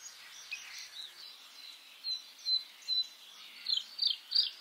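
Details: White-spotted bluethroat (Luscinia svecica cyanecula) in May: a hissy background carries soft chattering, then clearer repeated squeaky notes grow louder toward the end.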